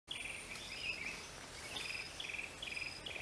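Greater racket-tailed drongo giving quick bursts of bright, slightly falling notes, repeated about every half second, over steady high insect drone.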